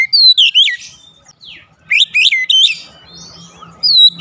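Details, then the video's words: Oriental magpie-robin (kacer) in energetic gacor song: bursts of rich whistled notes sweeping up and down, with short pauses between phrases and a faint low hum underneath. "memancing suara Kacer cepat ngeplong rajin bunyi gacor tiap hari"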